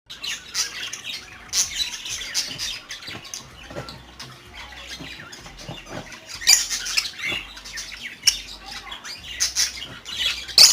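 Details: A cockatiel, said to be about to lay eggs in a few days, gives harsh, high squawks and short chirps in irregular bursts.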